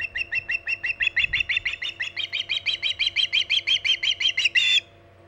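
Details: Osprey on the Hog Island nest, 14 August 2019 near 11:45 am EDT, repeating piercing whistled chirps about three per second for nearly five seconds. The series ends in a louder, harsher burst and is followed by quiet hum.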